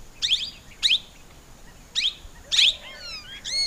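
Plum-headed Parakeet giving short, high, squeaky notes, four in quick succession, followed by thin whistled rising and falling notes near the end.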